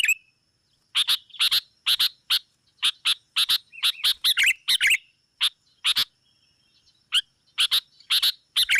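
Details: Sooty-headed bulbul; lure call; calling rivals to draw them in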